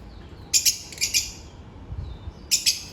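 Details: African lovebirds during their daily routine: three bursts of shrill, high chirps, two close together near the start and another pair near the end, over a faint low background hum.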